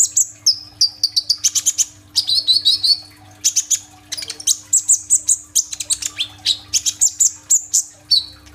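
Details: Kolibri ninja sunbird in full song, phone-recorded to draw other birds into singing: a busy, varied stream of very high whistles, quick trills and sharp chips, with scarcely a pause throughout.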